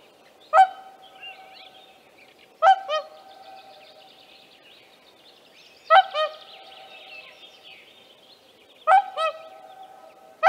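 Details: A whooper swan (Cygnus cygnus) with young, at Tāši, Latvia, on 15 May 2024, gives loud, brassy trumpeting notes, often paired with a softer second note, about every two to three seconds over faint soft chatter.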